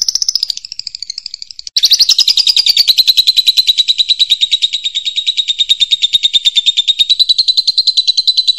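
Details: A champion lovebird with a loud song, suited as a master tutor for other birds, gives a shrill, high chattering trill that breaks briefly after a couple of seconds, then runs on at a rapid, steady pace.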